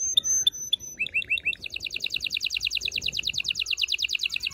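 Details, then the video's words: Loud canary singing meant to excite males and females for mating: clear whistled notes, four curved swooping notes, then a long rapid trill of repeated chirps. "غناء طائر الكناري لتحفيز و تحضير الاناث و الذكور للتزاوج و تغريد المستمر"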